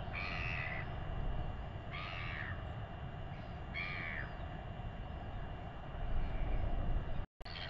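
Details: Royal albatross chick begging while being fed by its father in New Zealand, around a weighing; three harsh, harmonic, slightly falling calls roughly two seconds apart over a constant low wind-like rumble, with a brief dropout near the end.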